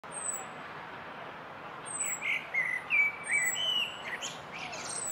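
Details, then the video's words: A Common Blackbird sings from a treetop by Mount Gate, England, near the end of its singing season. It gives a quiet run of short, mid-pitched whistled phrases over steady hiss, with thin, very high notes from another bird. "Blackbird singing"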